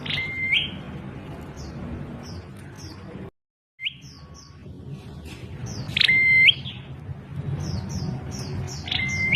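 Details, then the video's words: A strange call from a prinia, repeated several times: a sharp opening note, then a flat, high whistle that flicks upward, among frequent short chirps from other birds and a brief silent gap. "Prenjak Klawu Bersuara Aneh"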